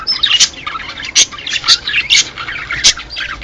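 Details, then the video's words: Budgerigars in a recording meant to encourage breeding, warbling and chirping busily in high, twittering notes broken by loud, sharp squawks about every half second to second. "هّذا الصوت يحفز طيور البادجي على التزاوج / This sound stimulates the buddies to mate"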